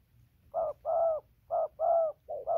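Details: Spotted dove cooing continuously from near and far, recorded 15 November 2020 while moving from a tree down to the ground: paired hollow low coos, a short note followed by a longer one, repeated in quick succession over quiet background.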